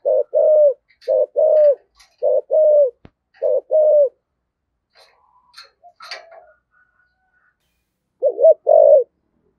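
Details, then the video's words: Spotted dove cooing in the rare thổ sấm voice style with thúc gù coos: low, mellow coos come in pairs, four phrases within four seconds. A pause with faint chirps follows, then one more phrase near the end. "tiếng cu gáy giọng thổ sấm thúc gù hàng cũng hiếm"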